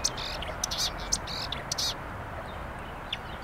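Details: Marsh warbler by the Vistula, 23 May 2022, delivering a quick burst of bright, scratchy chirps and buzzy notes in a cluster lasting under two seconds, then sparse faint notes, with constant background noise.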